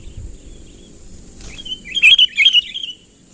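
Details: Sooty-headed bulbul calling a rival in close, vigorous and unembellished: after a faint soft note, a sudden cluster of loud, bubbling chirped notes rises and falls, with a constant high-pitched hiss behind.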